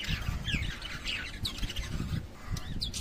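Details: Lovebirds calling with high, squeaky rising chirps repeated in quick succession, mixed with low thumping and rumbling noises.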